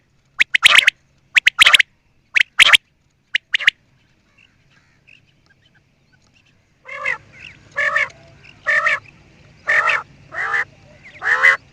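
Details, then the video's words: Quail calling: brisk clusters of sharp, snapping notes during the first four seconds, a short pause, then a steady run of harsh, nasal rasping calls about once a second. "New and nice sound of quail"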